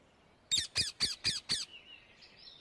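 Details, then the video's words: Wild Indian ringneck parakeet in nature giving five loud, harsh, screeching squawks in quick succession, about four per second, followed by faint thin whistles from other birds in the background. "صوت الببغاء الدرة في الطبيعة"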